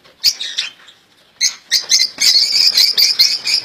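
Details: Caged European goldfinches kept as pets, their song described as flawless: bright, high twittering and chirping phrases, brief at first, then after a pause a dense, continuous rapid warble of tinkling notes.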